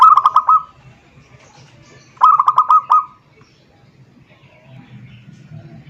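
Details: Zebra dove calling a rival: two short phrases of rapid, pulsed, mellow cooing notes, each burst about a second long, separated by a quiet pause with a faint low hum.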